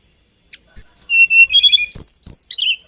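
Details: Tledekan gunung, or hill blue flycatcher, a small songbird of Kalimantan and Java, singing a lilting phrase of pure whistled notes stepping downward, ending in sweeping high slurred notes that fall away.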